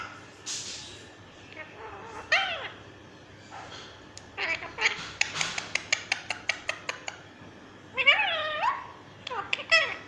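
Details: Green ringneck parrot kept as a pet, talking in curved, nasal, speech-like syllables, interrupted by a rapid series of sharp clicking taps, then more rising and falling chattered phrases near the end.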